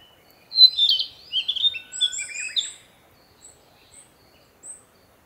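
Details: A male narcissus flycatcher, newly returned in spring to breed, sings to proclaim territory and fluffs his back feathers, perhaps to attract a female: a quick two-second phrase of bright whistles and slurred notes, then a few thin, high notes.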